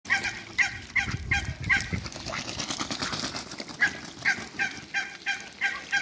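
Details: Muscovy ducks, a male and a female, in water in a backyard, giving short honking calls repeated roughly every half second in irregular bursts over a low rumble of background noise.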